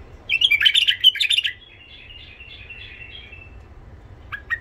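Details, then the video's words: Song of a tame Iraqi white-eared bulbul, rough-voiced, used to stimulate wild bulbuls and teach young ones: a burst of loud chirpy warbled notes, then a softer wavering trill, and two sharp notes at the end. "تغريد بلبل عراقي ابيض الخدين اليف صوت خشن حنجره ذهبيه لفتح البلبل الوحشي لتلقين صغار البلابل تحفيز"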